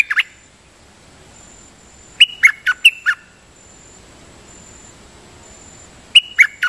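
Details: Champion sooty-headed bulbul giving decoy song, doubling phrases: brief whistled notes, then a run of four loud, slurred whistles, a pause, and another phrase starting, with a steady high hiss behind.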